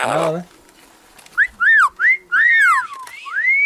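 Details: Parrot giving clear whistled notes: a run of short arched whistles, rising then falling, followed by a longer swooping whistle and a final upslurred note, after a brief rough noise at the start.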